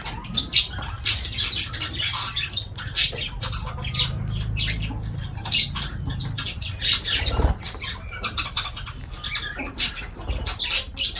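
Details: Feeding lovebirds keep up a busy, nearly continuous chatter of sharp, squeaky chirps and squawks, with low rumbling handling sounds beneath.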